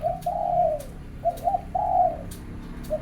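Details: Morning song of a zebra dove, gentle cooing phrases of brief stuttered notes leading into drawn-out falling coos, repeated several times over a quiet hum.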